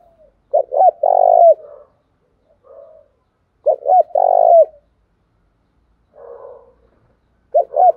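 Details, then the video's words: Spotted dove cooing: short stuttering notes rising into a long, mellow, drawn-out coo, each phrase about one second, repeated three times with soft quieter notes between and otherwise silent background. "cu gáy, cu gay kich boi nhanh noi gù"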